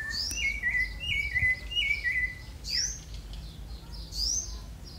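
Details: A neighbour's rufous-bellied thrush, said to sing a lot at night, gives clear, fluty whistled phrases: a run of short repeated notes, then higher sweeping whistles, over a low background hum.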